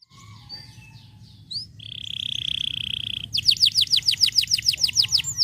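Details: White canaries singing, meant to stimulate lazy canaries to sing; scattered thin notes, then a long steady whistled trill, then loud rapid repeated downward-sweeping notes, about three per second, over a low background hum.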